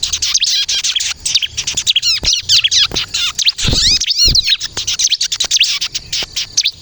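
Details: Bar-winged prinia (ciblek kristal) song intended to lure birds and provoke answers: a long, busy run of high chirps, rapid slurred whistles and a few harsher squawky notes with low thuds.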